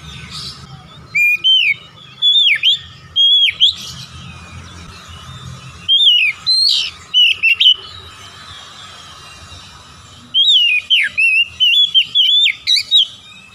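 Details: Kacer, the Oriental magpie-robin, delivers bright whistled song phrases in three bursts with silent gaps between, each burst a chain of slurred, wavering notes and sharp chips.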